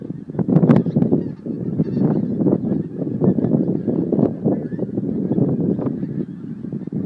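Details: Geese leaving Montrose Basin, Scotland, to feed on 12 January 2011: a large flock giving dense, overlapping honking and cackling calls continuously throughout.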